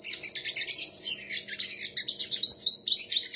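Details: Sunbird singing competitively in a contest: fast, high-pitched chattering twitters with sharp rising squeaks, strongest in the final second, over a steady faint low-pitched background hum.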